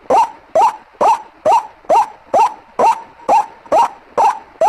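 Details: White-breasted waterhen calling, played as a lure. Loud, clipped notes that bend upward, evenly spaced roughly every half second, ten in a row over a quiet background.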